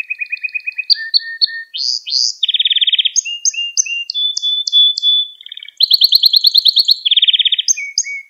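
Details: Song of a Gloster canary, meant to stimulate other canaries: fast repeated trill phrases switching between pitches, whistled short notes, a steady tone, and dense rolling tours.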